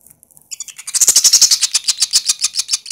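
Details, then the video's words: Chimney swift nestlings start after a brief quiet moment, then break into an intensifying burst of thin, high-pitched chittering notes in quick succession. "Nestling chimney swifts"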